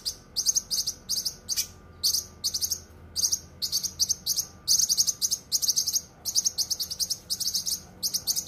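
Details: Cucak kinoi in a dense, sharp song recording used to tutor songbirds, with high, chattering buzzy phrases in clustered bursts, short gaps between them, and one brief downslurred note.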